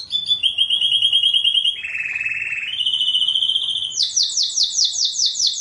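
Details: Canary tutor song for pet songbirds: steady high trills that dip to a lower buzzy roll, climb again, then end in loud rapid repeated chirps.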